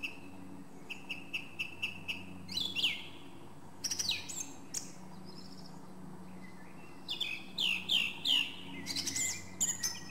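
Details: Song thrush singing a series of short repeated notes, several identical clipped chirps in a row, then sweeping whistles and later a cluster of loud squeaky, repeated phrases, with a low steady hum behind.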